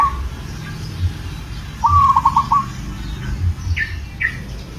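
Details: A local zebra dove, in breeding condition and calling to a female, gives one clear rattling trill of quick beaded notes lasting about half a second, followed by short chirps from other birds over a steady low hum.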